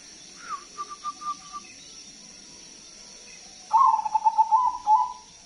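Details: Zebra dove of crossbred stock, singing loudly as a decoy to draw other doves: a soft, spaced run of short coos is followed after a pause by a strong, rapidly pulsing cooing trill with a short closing note.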